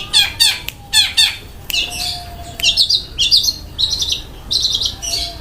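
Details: Long-tailed shrike singing in the 'kasaran' and rapid 'roll speed' style: three grating, stuttered bursts at first, then a run of quick, clipped high notes strung close together, with a faint steady tone underneath.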